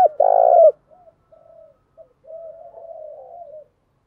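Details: Caged spotted dove decoy singing to stir a wild dove to fight: one strong, buzzy, throaty coo followed by quieter, drawn-out, wavering coos fading away.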